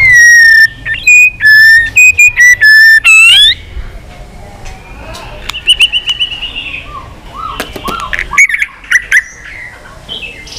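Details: White-rumped shama singing in many voices during fighting song: several long pure flat whistles in sequence, a rising note, then softer scattered chirps, slurs and sharp clicks.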